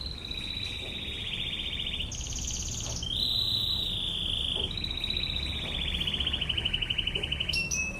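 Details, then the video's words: Canary song with rapid trilled rolls at steady pitch, switching between tours of different height, some high and thin, others lower and buzzy, over a low background hum. "MASTERAN BURUNG KENARI//TEMBAKAN NGEBREN"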